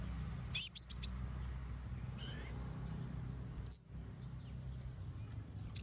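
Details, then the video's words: Rival-provoking konin song: a quick cluster of four high, sharp chirps, then a long quiet gap with a faint soft call, and single high chirps later, over a low steady hum. "Konin bunyi manggil lawan"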